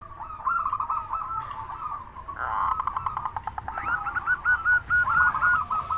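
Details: Local Indonesian zebra dove with a loud voice, singing freely as a lure to make other zebra doves answer and to stir their arousal; a mid-pitched series of short rolling coos, stuttering staccato bursts, then clear repeated cooing notes.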